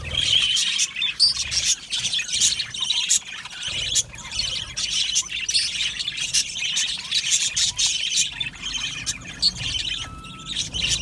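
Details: Aviary colony of budgerigars, Australian parrots, singing and chirping: continuous high, gritty warbling with quick repeated chirps and clicks, plus one brief clear whistled note near the end.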